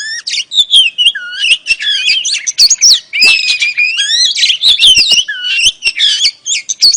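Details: Female oriental magpie-robin whose calls are meant to lure a male: loud, varied, fast warbling with whistled rising and falling slurs, squeaky notes and sharp clicks, continuous throughout.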